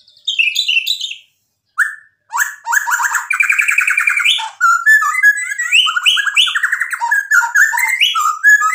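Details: White-rumped shama in full song, used as a lure to provoke other birds: loud varied phrases of clear whistles and rapid trilled notes jumping between pitches, a short pause near the start, then a continuous rich, chattering run.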